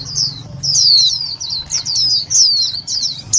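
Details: Loud white-eye calls used to lure and excite other white-eyes: a fast, almost continuous chatter of high, thin descending notes packed closely together over three and a half seconds.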